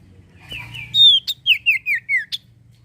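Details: Common iora singing to lure untrained or silent birds into song: two soft notes, then a loud level whistle followed by five quick downward-slurred whistles and a final high note, all within about a second and a half.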